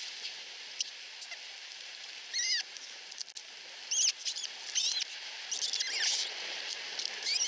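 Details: Two osprey chicks under a week old at a nest in Finland, begging and competing for food from their mother: thin, high squeaky chirps in short clustered bursts, repeated every second or so over faint background noise.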